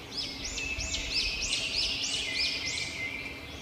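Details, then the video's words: Robin chirping in a fast, steady run of high, arched notes, about four each second, set against continuous background noise. "Robin Birds Chirping"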